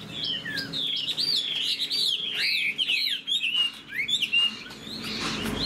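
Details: Caged Chinese hwamei with a spread tail and wing display pours out clear, fluty whistles bending sharply up and down in fast, varied bursts. Its song ends in laughingthrush-like phrases, with a soft rustle near the end.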